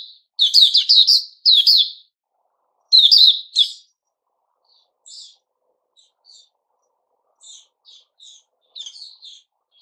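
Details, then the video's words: Loud, rapid chirping phrases from a white-crowned shama in fresh plumage, followed by several seconds of soft, scattered high notes. "Puteh Raja season new feathers"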